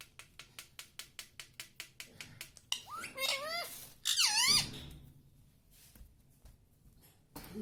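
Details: Pet parrot talking in Hindi, imitating words such as mummy and papa; rapid regular ticking for the first two and a half seconds, then two loud nasal, warbling, speech-like phrases with zigzagging pitch, followed by quiet and a brief noise.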